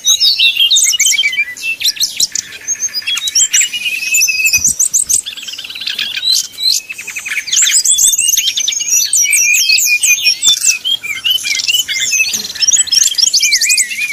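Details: Srdc bird singing in the 'nyuling' style, played to provoke rivals into singing. A long, busy, high-pitched stream of varied whistles, sharp chirps and rapid trills with hardly a pause, and a short downward whistle near the end.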